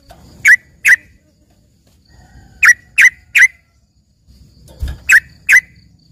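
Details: Yellow-vented bulbul (trucukan) singing as a filler song for training green leafbirds: short, separate bright notes in small groups of two and three, with soft low thumps and handling noise between them.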